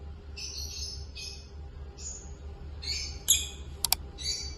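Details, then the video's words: Pair of peach-faced lovebirds chirping while curious about the camera: short, fairly soft, raspy high chirps in loose bursts every second or so, with two sharp clicking ticks near the end over a low background hum. "Lovebird Singing & Chirping Sounds - Peach Face Pair"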